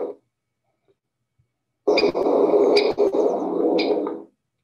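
Only a burst of hissing, radio-like static about two seconds long is heard, with no animal voice.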